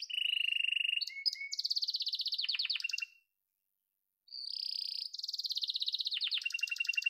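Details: Yellow domestic canary sings buzzy rattling rolls and a low steady tour, falls silent about a second, then resumes with a fast high roll.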